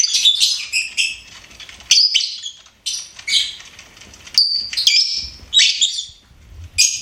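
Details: Pet lovebird singing and chirping: rasping, high twitters in short bursts, one clear whistled note in the middle, brief pauses between phrases.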